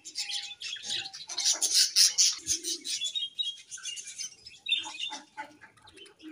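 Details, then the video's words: Budgerigars pairing, chirping in a busy mix of short high chirps and warbles, some scratchy bursts and a brief low tone, with wing flutters in between. "𝐁𝐮𝐝𝐠𝐢𝐞𝐬' 𝐏𝐚𝐢𝐫𝐢𝐧𝐠"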